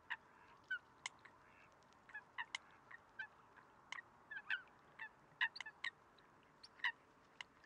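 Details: Eurasian coot in Greece, February 2023: scattered, softer clipped notes at irregular intervals, some distant and faint, with a quiet, hissy background between them.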